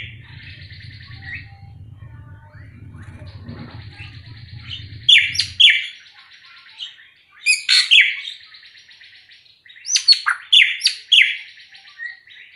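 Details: A drongo (racket-tailed drongo, srigunting krantil), described as calling all day with very varied sounds, sings loud phrases of sharp metallic chips and harsh whistles in bursts every few seconds, after a thin buzzy trill over a low hum.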